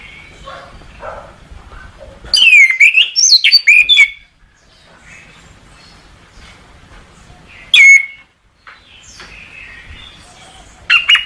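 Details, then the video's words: Orange-headed thrush (anis kembang), recorded as a masteran training song: loud bursts of rich, slurred whistles and rapid notes around two to four seconds, another short burst near eight seconds, with faint softer warbling between. "Masteran Suara Anis Kembang"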